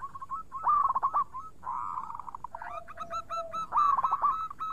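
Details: Local zebra dove in clear, lively song used as a lure: stuttering coo bursts alternate with a long rolling coo and evenly repeated ringing notes, ending in another stuttering run.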